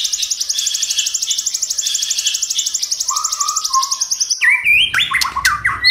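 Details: White-rumped shama in multi-voiced song meant to spur other shamas into singing, opening with a long rapid rhythmic trill of high pulsed notes over a lower whistle, then switching to bright, swooping whistled phrases.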